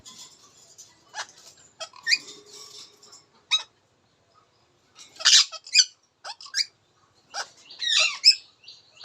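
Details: Talking Indian ringneck parakeet, a rasping, murmured stretch first, then after a pause lively bursts of squeaky, high-pitched syllables that rise and fall in quick succession.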